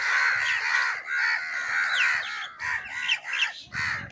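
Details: Crow calls to draw in crows: a flock giving harsh, hoarse caws in quick series, thinning into separate bursts toward the end, with little background noise.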